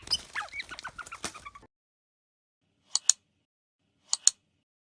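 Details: White-rumped shama song used as a trapping lure: a quick jumble of varied whistled and chattering notes over about a second and a half, then silence broken by two pairs of sharp high clicks.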